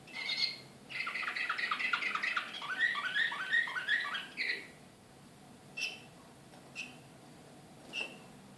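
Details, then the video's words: Canary of the Srpski slavujar type, Belgrade, 2014, pours out a rapid rattling trill for about four seconds after an opening chirp, then gives three single high chirps spaced about a second apart over a quiet background. "CANARY SINGING SRPSKI SLAVUJAR BEOGRAD 2014"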